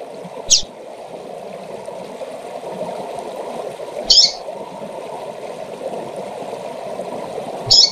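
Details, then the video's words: Female double-collared seedeater calling to excite males: three short, sharp high chips spaced about three and a half seconds apart over a steady rushing background like running water. "Fêmea de Coleiro Chamando para Esquentar e Foguear Qualquer Coleiro ou Papacapim!!!"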